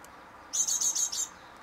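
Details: High, thin great tit notes recorded at eleventh-floor height in Mariahoeve, The Hague, May 2023: one short run of roughly five sharp chips, slightly softer and blurred, over quiet background hiss.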